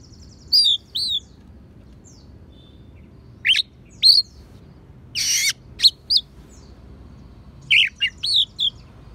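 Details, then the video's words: Oriental magpie-robin with mimicked sparrow and prinia phrases, played to train songbirds: isolated high chirps in pairs separated by silences, one broad harsh rasp mid-way, then a cluster of sharp tweets. "Kacer Isian Gereja,prenjak pass untuk masteran"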